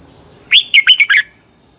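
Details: Red-whiskered bulbul in fiery 'căng lửa' singing, used as a training and lure song for other bulbuls: one quick phrase of five bright, slurred whistled notes, rising and falling, under a steady high electronic whine.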